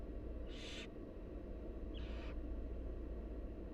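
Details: Two loud, broad hissing screeches from wild barn owl chicks begging at a feeding by their mother, the second a little softer, with steady rumbling beneath.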